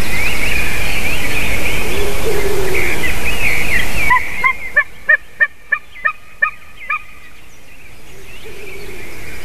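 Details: Dawn call of a White-tailed eagle, 28 March 2019 at 06:26: after about four seconds of loud noisy background with distant birdsong, seven evenly spaced yelping notes ring out, then the background noise returns.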